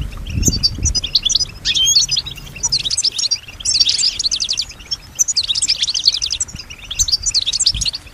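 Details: European goldfinch, a female, singing as she hears surrounding sounds: rapid high twittering bursts and fast buzzy trills in phrases about a second long with short pauses between, low thuds early on.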